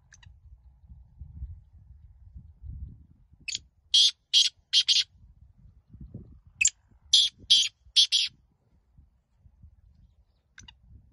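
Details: Black francolin (kala teetar) in a calling contest, teetar muqabla: two bursts of about five harsh, rasping, high notes each, roughly two seconds apart, over a low rumble of wind and handling noise.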